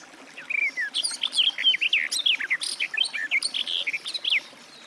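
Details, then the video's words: Continuous, bubbling Garden warbler song: rapid, mellow slurred notes and quick chirps following one another without a break for about four seconds. "Warbler garden, birdsong"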